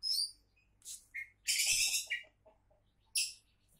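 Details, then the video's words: Oriental magpie-robin, billed as a future champion, pours out a long grating buzzy phrase framed by bright chirps and short whistles, then ends with a sharp harsh note. "Kacer Calon Juara"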